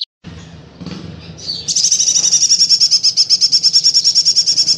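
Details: Busy male golden-bellied gerygone: after a few soft high notes, a long very high, fast, even trill of rapidly repeated sharp notes runs without a break to the end.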